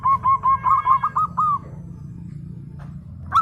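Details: Zebra dove of local stock in full song: a fast run of about eight short, even cooing notes in under two seconds, then near-silence over a low background hum.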